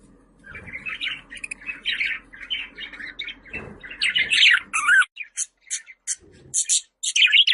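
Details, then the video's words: Budgerigar chattering in a continuous warbling stream of scratchy, buzzy chirps, mostly mid to high pitched, with brief sharper squawks and clicks toward the end and a faint low hum underneath. "Muhabbet Kuşu Sesleri"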